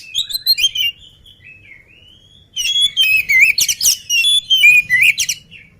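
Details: Agile oriental magpie-robin singing before its meal: opening whistled phrases, a quiet pause with soft sliding notes, then a loud resumed run of trills, chirps and swooping whistles.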